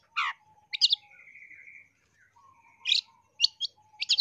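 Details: Long-tailed shrike song used as a training recording for caged birds and as a lure, packed with varied notes: scratchy bursts that rise and fall, a long steady whistle, and a lower flat tone, separated by short pauses.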